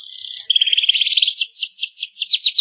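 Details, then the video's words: Weaver (burung manyar) song for training kept birds: a high wheezy sizzle breaking into rattled buzzing, then a steady series of clear, down-curving whistled chips about five per second. "Masteran Burung Manyar"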